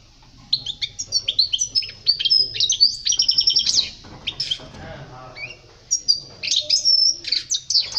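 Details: Sustained European goldfinch song from a 2020 recording for teaching young birds: a long run of lively twittering notes and tinkling trills, with a brief lull before further bright phrases.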